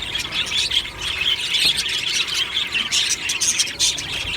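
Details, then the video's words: Budgies in a colony aviary at morning time, described as happy: continuous, many-voiced twittering and raspy warbling, with squawky chirps rising and falling in loudness throughout. "Beautiful Budgie morning happy singing and chirping sounds | Happy Budgie sounds"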